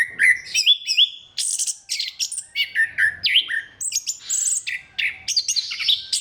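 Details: Orange-headed thrush song used to stimulate other thrushes to sing: a fast, varied run of clear whistles, rising slurs and buzzy notes, mostly high-pitched, with short phrases following one another without pause.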